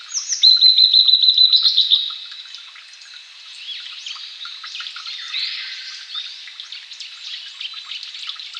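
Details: Blue-and-white flycatcher, one of Japan's three famed songbirds, singing alongside a courtship display to a female: a fast series of about a dozen bright, evenly repeated high notes over two seconds, then fainter mixed twittering and chirps fill the background.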